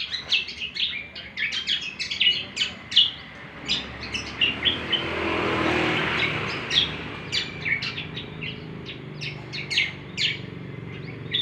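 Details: Steady cucak kombo song of rapid, sharp chirps and whistled notes throughout, partly masked near the middle by a passing vehicle's rising and fading roar.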